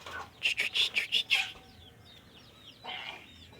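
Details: Caged sooty-headed bulbul in a singing-training session, giving a quick run of six loud, bubbly notes, then a faint ending note. High twittering and thin chirps continue in the background.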